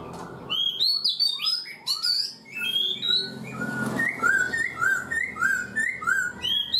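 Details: Black-throated laughingthrush kept caged four months pours out rising whistled sweeps, then a regular series of short down-slurred notes repeated about every half second.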